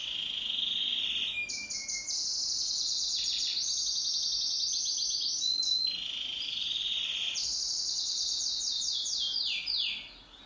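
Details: Pet canary singing in a duet, a long continuous run of bright high rolling trills and buzzy chattering phrases, shifting between fast pulsed rattles and steadier sustained notes.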